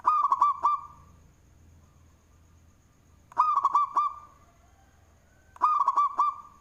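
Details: Local zebra dove with a big voice, singing and used as a lure. Loud rolling coos near one pitch, each phrase a quick run of looping notes with sharp clicky onsets, repeated about every two and a half seconds. A low hum sits underneath.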